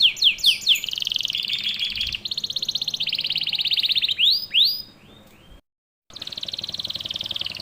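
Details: Canary song used as a lure for young canaries to sing: sharp rising notes, then sustained buzzy trills, a few upslurred whistles, a short silent break, and the trill resuming.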